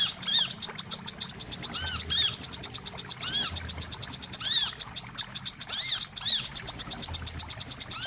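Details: Wiceh birds calling, recorded as a lure for trapping birds. Dense high chirps repeat rapidly throughout. Arched whistled notes rise and fall about every second beneath them, with steady fine ticking above.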